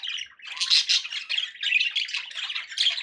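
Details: Pet budgerigars squawk and warble in rapid rasping bursts, roughly one loud pulse each second, forming steady flock chatter.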